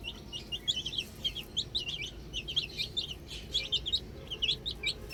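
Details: Little chicks at play with a ball give loud, high, bouncy peeps, rapidly repeated and overlapping, forming a continuous twittering chatter.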